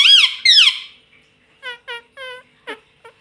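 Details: Ring-necked parakeet kept as a pet, copying the words "mummy papa": two loud arched squeaky syllables, then four short evenly spaced speech-like notes and a few soft clicks.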